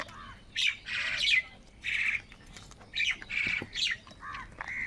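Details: Crows fighting for food give rasping, squawking calls in short, rough bursts about every half second to second, with brief gaps between.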